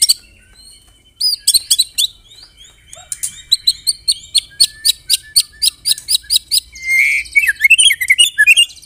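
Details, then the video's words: White-rumped shama song with canary and cililin imitations, a steady series of sharp high chirps about once per second-fraction, ending in a buzzy trill and twisting whistles. "MURAI BATU ISIAN KENARI, CILILIN SUPER NEMBAK"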